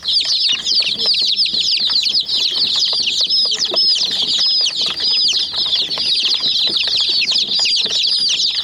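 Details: Hen chicks gathered on a white miniature jeep toy, pecking at it, call in a dense high chorus of clear, slurred cheeps, some notes ringing slightly longer, with soft pecks and rustling.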